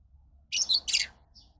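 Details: Two quick, piercing lovebird chirps, the second harsher and broader, over a soft low background hum.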